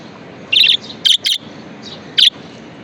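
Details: Pet budgie giving a scratchy chirp followed by a quick double chirp and a final single note, with soft chatter between.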